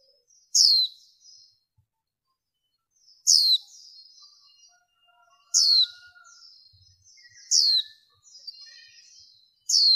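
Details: Female warbling white-eye, a 2023 lure recording with background noise reduced, made to attract wild birds and males, a loud, sharp, high descending note repeated about every two and a half seconds, each followed by soft quick twittering.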